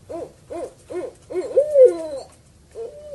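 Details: Owl used as a bird lure: four short, evenly spaced hoots about half a second apart, then a longer slurred, descending note and one flat hoot.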